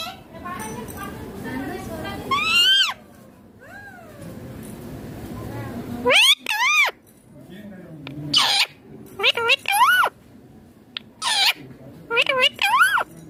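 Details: Green rose-ringed parakeet making natural sounds during a meal: soft murmuring, then clusters of swooping, rising-and-falling squeals and short chirps scattered across about thirteen seconds.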